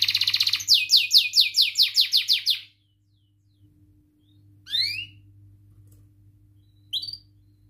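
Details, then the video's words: Canary song used to stimulate young birds learning to sing: a rapid series of repeated, sweeping high notes for under three seconds, then near silence with two brief rising chirps. "kenari gacor panjang Cuit Cuit EMOSI, Pancingan Kenari Paud Belajar Bunyi, terapi AMPUH Kenari MACET"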